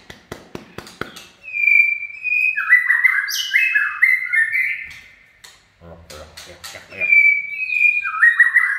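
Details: White-rumped shama in "chạy cầu" song: quick ticking clicks lead into sustained whistles and a tumbling series of fluty phrases, followed by a pause, a faint low voice and a renewed whistled phrase.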